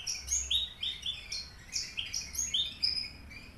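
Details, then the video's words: A caged aliena Horsfield's bush lark from Papua, singing vigorously with finch-learned material. It gives a rapid, busy run of high twittering chirps and clipped whistles, about three notes a second, with a faint low hum underneath. "branjangan aliena gacor / mirafra javanica aliena / branjagan papua"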